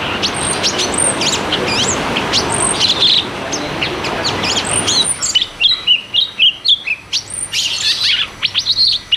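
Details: Cucak cungkok in rolling, rapid-fire "ngeroll tembak" song used to prompt silent caged birds to sing: dense high chirps and quick whistled slurs, masked by broad hiss for the first five seconds, then clearer, choppy bursts.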